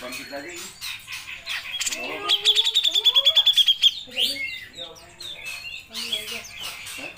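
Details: Grey-cheeked bulbul delivering long 'nembak' song, recorded as a tutor for songbird keepers. Varied whistled phrases lead into a fast, regular burst of about fifteen piercing high notes, followed by softer chattering twitters.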